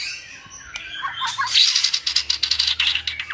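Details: Several caged white-rumped shamas with good voices sing to train a young shama toward varied song; quiet start, then dense bursts of high, harsh chattering notes and whistles pulsing rapidly through the second half.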